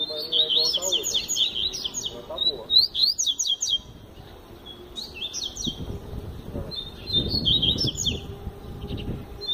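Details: Double-collared seedeater in full Tui Tui Zel Zel song: fast strings of high, sharp, slurred whistles repeated several times a second. The phrases come in two long bursts with a short pause between them, and faint voices can be heard underneath.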